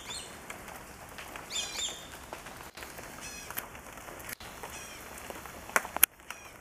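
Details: Swallow-tailed kites calling in flight, a rare sight of many together. A quick run of high, slurred whistles comes early, then fainter repeats, with a steady high tone and a few clicks behind.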